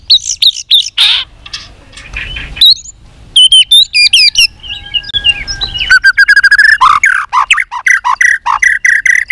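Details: White-rumped shama singing in many voices for contest training: sharp whistles and slurred notes, then a fast run of clipped, chattering phrases in the second half.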